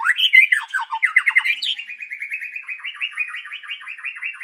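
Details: White-rumped shama singing in the morning to lure birds: bright descending whistled notes give way to a long, even trill of fast repeated warbled notes that holds steady in pitch.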